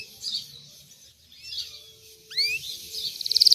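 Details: White Belgian canary singing: soft high warbled phrases, then a quick upward sweep and a fast, loudening trill of high pulsed notes.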